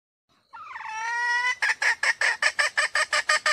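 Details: A wild hen red junglefowl gives one drawn-out, slightly rising nasal note lasting about a second, then breaks into quick, harsh clucks, about three per second, ten in a row.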